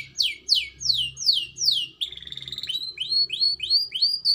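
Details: Canary with a black-throat and prinia mixed song; five loud downward-sweeping whistles about every third of a second, a brief buzzy trill, then a fast run of shorter rising-falling chirps.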